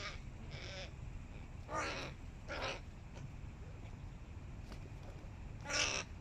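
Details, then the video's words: Young hooded crows competing with adults: rough, grating caws in short separate bursts, about four calls spread over six seconds, the last one loudest, against constant low rumbling noise. "Молодые вороны соревнуются со взрослыми / Young crows compete with Adults"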